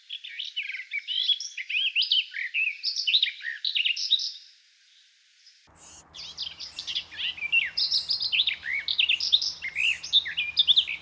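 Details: Garden warbler (Sylvia borin) song at a Russian forest edge: a long, rich, even-paced warble of mellow throaty phrases, flowing almost without pause; a faint low hum underlies the second half.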